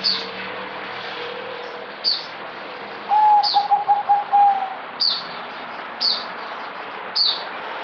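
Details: Zebra dove, known as merbok, a kept bird on 08052020 that is singing a little less: one brisk pulsed sequence of clear coos at a steady pitch, among regularly repeated high, sharp chirps from other birds.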